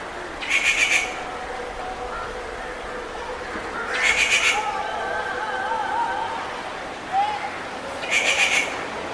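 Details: Three harsh, chattering rufous treepie bursts come roughly every four seconds, with faint tonal notes between them over steady hiss.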